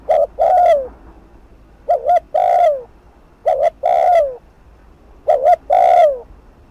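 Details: Fast spotted dove cooing in 'thúc gù' style, played to provoke decoy birds: four phrases, each a short doubled coo and a longer, low, falling coo, spaced about one and a half seconds apart.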